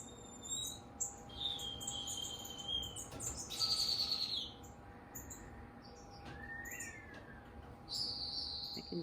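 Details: Captive green-backed twinspot in an aviary, one of a newly released pair, gives a high, sizzling song of drawn-out buzzy notes and a brief sweeping whistle, interspersed with scattered soft chirps over a low steady hum.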